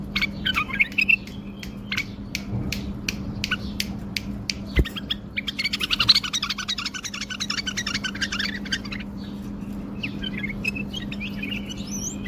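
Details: Bulbul singing wing-flutter song: sharp clicking taps, then a dense rattling burst of chirps midway, fading into scattered whistles, with a constant low hum throughout.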